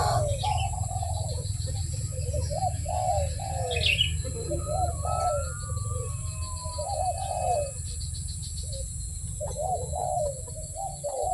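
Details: Barbary dove, called puter, cooing: repeated short low hoarse coos in a rolling series, with a steady low rumble beneath and a faint thin whistle midway.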